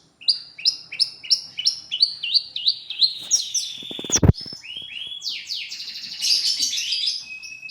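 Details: Long-tailed shrike song recorded as a lure for other birds: quick repeated two-part chirps, then a sharp knock around four seconds, followed by denser overlapping squeaky warbling and harsh high notes.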